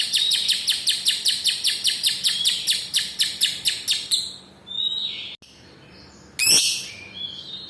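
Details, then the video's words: Lovebird long ngekek trill, used to prompt other lovebirds that are sluggish or reluctant to trill: a rapid run of shrill repeated chirps, about four per second for four seconds, then a squeaky flourish and a loud burst. "pancingan love bird Kusumo ngekek panjang cocok untuk masteran paut belajar narik"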